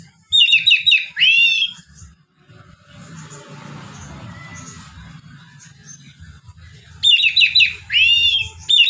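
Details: Relaxed ngeplong song of an oriental magpie-robin, played to coax lazy magpie-robins into singing: two loud phrases of rapid clear whistles ending in a swooping slur, separated by several seconds of quiet low rumble.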